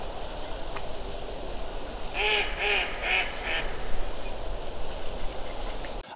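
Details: Late-autumn mallard flock resting by the first tower at Ptasi Raj, Poland: four hoarse quacks follow one another rapidly mid-recording, set against constant rushing wind noise.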